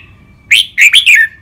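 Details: Red-whiskered bulbul, caged and trained in Thai song styles like rik and nap dok. A single loud phrase of three or four rich, slurred whistles, sliding downward at the close.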